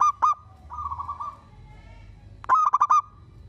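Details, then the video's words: Local zebra dove singing vigorously, said to prompt other zebra doves to answer, gives short bursts of rapid, staccato cooing notes in a mid-pitched rattle, with a quieter trilled phrase between them. "Perkutut lokal gacor bikin semua perkutut kepancing bunyi dan langsung NYAUT"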